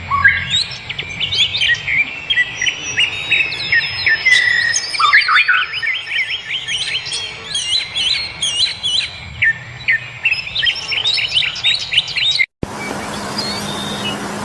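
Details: Several birds chirping in natural surroundings: dense high twittering and whistled notes tumble over each other for about twelve seconds, then cut abruptly to a brief stretch of hissing noise.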